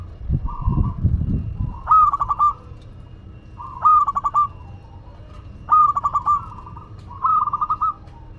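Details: Local Madura zebra dove singing actively, repeating a bright stuttering coo phrase roughly every one and a half seconds after a low rumbling noise at the start.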